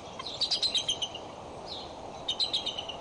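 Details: Female bald eagle at Decorah scolding while guarding her nest with a chick on 15 April 2012, after the male flew off from a squirrel: high, thin chittering notes in two quick bursts over steady wind noise.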